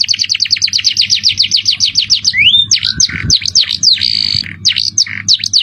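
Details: Canary song of the 'cengkok mewah' style, opening with a rapid rattling trill of high chips, then a rising whistle and a jumble of sweeping V-shaped notes and buzzy bursts, with a steady low hum beneath.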